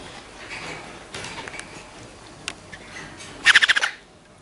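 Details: Pet green-cheeked conure kept indoors gives a quick burst of about six harsh, grating squawks near the end, after soft chatter and faint rustling noise.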